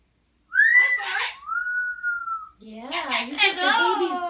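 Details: Pet parrot talking to a baby in a small room. It gives a rising whistle, then a sustained level whistle lasting about a second. A wavering human or child voice follows and fills the rest.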